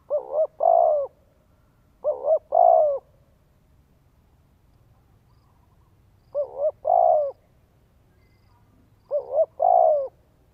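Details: Decoy spotted dove in Vietnam calling to excite a wild male; deep wavering coo phrases, each a quick double-pulsed note followed by a longer rolling one, repeated about every three to four seconds against a quiet background.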